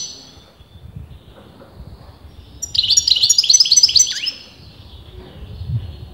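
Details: Kept European goldfinch, sex debated by breeders, giving one short sparkling phrase of quick high chips ending in a downward slurred note, set against quiet low background rumble.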